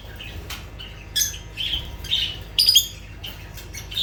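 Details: Lovebirds give a few separate shrill squawks and chirps with short quiet gaps between them.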